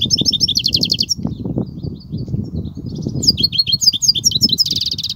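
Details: European goldfinch in kubiya song: dense, fast twittering strings of high metallic notes, a brief softer stretch of thin chirps, then renewed rapid twitter and a buzzy trill, over low rumbling noise.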